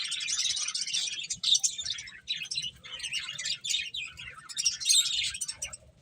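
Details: Eating finches produce a continuous, crowded mix of high chirps and short trills, rising and falling in loudness across the stretch.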